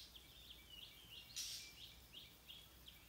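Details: Stripe-throated bulbul seeking its lost chick, giving a series of short high chirps about three per second, steady and faint over background hiss, with a brief noisy rustle midway.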